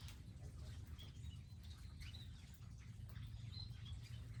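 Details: Garden birds come to a feeding area stocked with seeds and water, giving brief high tweets and a few quick rising and falling chirp notes against a constant deep background hum.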